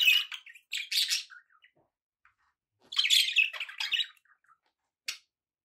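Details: Two bursts of excited budgie chatter, scratchy warbles and squawks, separated by a quiet stretch and followed by a single sharp chirp.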